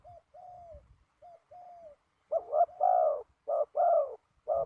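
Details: Decoy spotted dove on the ground during trapping, wind blowing hard. Quiet, thin coos with a gentle downward slide come first, followed by loud paired calls: a brief burst then a longer falling purr, repeated.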